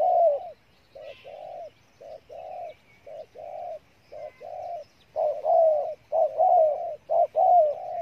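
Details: Spotted dove from Cà Mau, Vietnam, singing in the 'thổ' style: soft low coos, spaced at first, then louder, longer, slurred phrases packed closely together.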